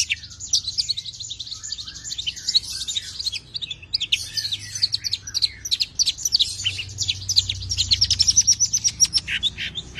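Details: Tame long-tailed shrike in full song, the varied 'isian' style with rapid 'nembak' shooting phrases used to prompt and tutor other birds: dense scratchy chatter and quick high notes, building toward the end into a fast, rhythmic run of clipped notes.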